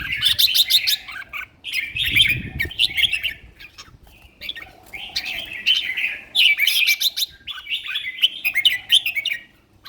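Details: Caged red-whiskered bulbul, a competition song bird in prime condition, singing loud, rich whistled phrases around mid-high pitch, bursts of warbling notes separated by short pauses, with a brief low rumble of handling noise.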